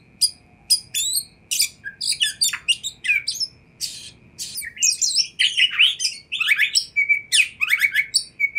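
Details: Oriental magpie-robin in rich, rapid song to provoke a response from other magpie-robins; crowded sequence of squeaky chips, buzzy notes and slurred whistles, growing denser toward the end, over faint hum.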